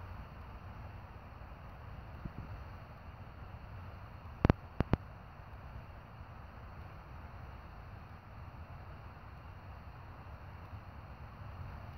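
Steady low rumble and hiss with a few sharp clicks near the middle, and no animal calls.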